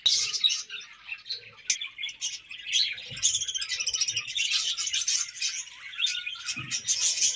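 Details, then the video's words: Morning budgie chatter: high, scratchy chirps and warbling trills in irregular bursts, growing into a steady busy twitter from the middle onward, with occasional low thuds. "𝑩𝒆𝒂𝒖𝒕𝒊𝒇𝒖𝒍 𝑩𝒖𝒅𝒈𝒊𝒆𝒔 𝑴𝒐𝒓𝒏𝒊𝒏𝒈 𝑪𝒉𝒊𝒓𝒑𝒊𝒏𝒈 | 𝑷𝒂𝒓𝒓𝒐𝒕𝒔 𝑺𝒊𝒏𝒈𝒊𝒏𝒈"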